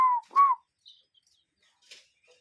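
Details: Cuckoo calling in nature: two short, clear whistled notes in quick succession, followed by faint distant chirps and a soft rustle.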